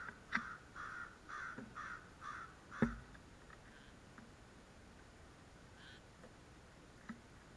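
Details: Wild crows, older birds from last year guiding a new generation of young to a spot where food is put out, give a string of short harsh caws in the first three seconds, then quieter scattered calls over faint background noise.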